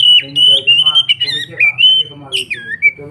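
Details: Oriental magpie-robin singing steadily: loud, clear whistled phrases that slide and warble up and down, with quick chattering notes, over a low steady hum.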